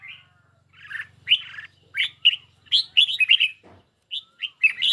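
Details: Red-whiskered bulbul in a cage, let out on a lightly sunny day to sing against a phone. Short, clear, chirpy notes come in quick clusters, some sweeping upward, over a faint low hum.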